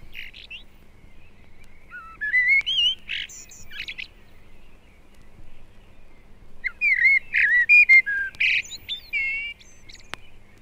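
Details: In February British woodland, a common blackbird of a northern population sings mellow, pure fluting phrases in two bursts, each sliding and ending in higher twittering notes; a song thrush joins later, with other faint calls behind.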